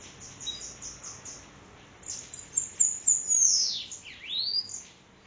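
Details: High-pitched Bananaquit (sibite) song recorded at Parnamirim, Rio Grande do Norte: a run of rapid tiny chips builds into sharp hissing notes, then a V-shaped whistle falling and rising again.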